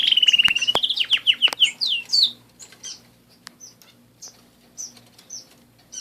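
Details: Canary song opening with a fast, rolling high trill and a string of descending whistled notes, then fading into sparse, soft chirps separated by silence.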